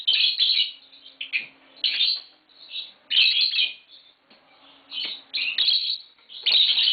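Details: Green Fischer's lovebirds at home, letting out loud, harsh, clustered chirps in short bursts about every second, separated by brief quiet gaps.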